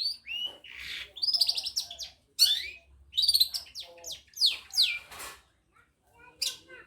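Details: Madura long-tailed shrike delivering a varied imitative song featuring ciblek kristal and canary phrases: high chirps, rising and falling slurred whistles, and buzzy trills in irregular bursts with brief gaps, set in a small room.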